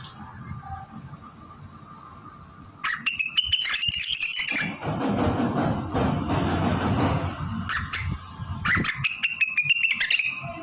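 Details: Blue-winged leafbird performing its mimicry-laden song, borrowing magpie-robin, canary, prinia, ciblek, kapas tembak and cililin phrases: a rapid clicking, warbled burst, a stretch of dense broadband noise, then another quick chattering run, over steady hum.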